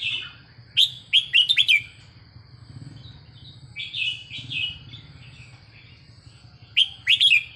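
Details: Red-whiskered bulbul song for training: bursts of sharp, bouncy whistled notes recur several times, with softer slurred phrases between them, over a constant low hum.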